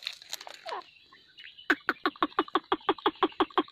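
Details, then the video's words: Grey francolin giving a fast, even run of loud harsh notes, about three per second, after a short stretch of softer twittering. "Teetar ki awaz"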